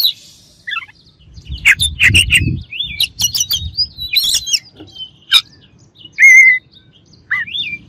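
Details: White-rumped shama in a varied song of whistles, rapid chattering and buzzy bursts, with a clear wavering whistle near the end and a low rumble beneath.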